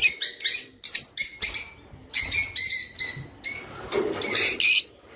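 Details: Song of a Java sparrow (rice finch), used to encourage mating: rapid clusters of sharp, tinkling chirps and clicks repeated in phrases about a second long, with a denser, scratchier burst near the end.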